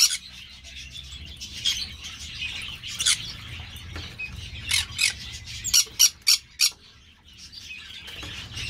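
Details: Green-cheeked parakeet (Pyrrhura molinae) kept by an amateur breeder. Scattered rasping calls over steady background hiss build to a tight run of five sharp, piercing squawks near the end.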